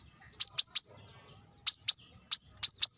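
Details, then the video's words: Brown-throated sunbird calling sharply to rivals in short clusters of two or three piercing high chirps, separated by brief silences. "kolibri kelapa | manggar | wiceh | suara tajam memanggil lawan"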